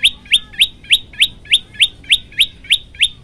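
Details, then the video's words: Prenjak lumut, a tailorbird, singing vigorously for a master training recording. Loud, quick rising chirps repeat about three times a second in a tight, regular rhythm. "masteran handal prenjak lumut gacor variasi"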